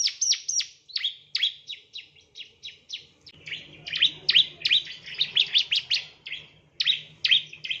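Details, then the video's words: Male bar-winged prinia song recorded as master material for tutoring other birds: fast series of sharp, high chips and downward-swept whistles, delivered in quick bursts of about three per second, with a low hum behind. "Master Burung Ciblek"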